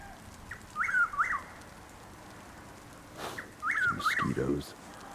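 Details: Chuck-will's-widow calling around 6:20 am on 12 April 2023 in Lake Placid, Florida, as rain begins: two whistled three-part phrases, the second about three seconds after the first, over steady rain hiss with some brief broadband knocks.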